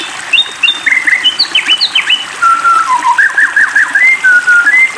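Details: White-rumped shama song used to provoke a rival into singing: tumbling varied whistles, slurred notes and quick chattering bursts, steady and loud throughout.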